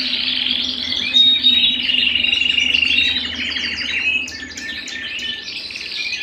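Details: A canary sings at home, loud rolling trills sliding gradually downward, then a burst of varied sharp chirps, over a low steady hum.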